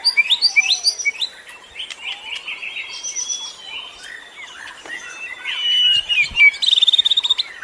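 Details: Lure birdsong played to attract other birds: a dense mix of chirps, trills and whistled upward sweeps, with a bright, steady high whistle series near the end and a faint insect-like hiss throughout.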